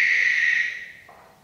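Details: Tail end of a barn owl's loud, breathy screech, which weakens and dies out over about a second, followed by a faint low rustle.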